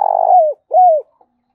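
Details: Spotted dove cooing, used as a fast lure to rouse a decoy bird: a long, slightly rough, mellow hoot that slides down, then a second smooth hoot that arches and falls, clean and loud with no background.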